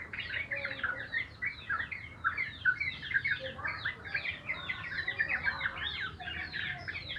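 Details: Sooty-headed bulbul singing in the morning, a bright continuous chatter of short bubbly whistles and chirps, many notes overlapping, with a faint low background murmur.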